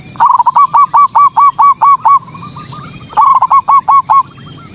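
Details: Manggung song of a zebra dove, meant to provoke rival local perkutut. Two bursts of quick, hooked, staccato coos, about a dozen notes, then about six after a short pause. A low background hum runs throughout.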